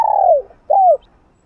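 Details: Spotted dove singing in the 'hạp bổi' style, a full sequence of calling, urging and cooing meant to stir up another dove. Two mellow cooing notes, the first long and gently falling, the second shorter with a rise then fall, over a quiet background.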